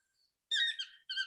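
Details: Yellow-throated (chestnut-mandibled) toucan on the lower slopes of Arenal Volcano, Costa Rica, amid mid-elevation forest, gives a very loud, harsh yelping call: one drawn-out falling note, then the start of a second.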